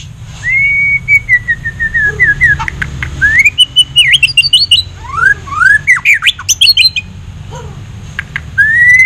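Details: Caged male-type white-rumped shama (murai batu jabrik) singing at the Piala Ronggolawe Cup 1 bird contest in Mataram, Lombok, where it took the main prize: loud, varied whistled phrases sliding up and down, mixed with rapid sharp chirps.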